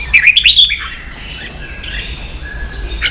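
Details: Red-whiskered bulbul, kept songbird in Vietnam, competing in song: a rapid stuttering run of chirps at the start, then fading softer warbled notes and quiet twittering.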